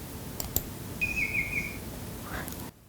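A Greater Racket-tailed Drongo imitates a Banded Bay Cuckoo with one clear, slightly wavering whistle, then a softer lower note. A few clicks come before it.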